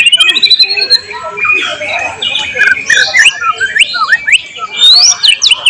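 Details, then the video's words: Murai batu, the white-rumped shama, singing with imitated cililin, cucak jenggot, canary and lovebird phrases in a tutor recording from 12 July 2023: a long drawn whistle, then jumbled looping slurs, sharp chips and high rising sweeps. "volume siulan murai batu gacor tembus materi isian"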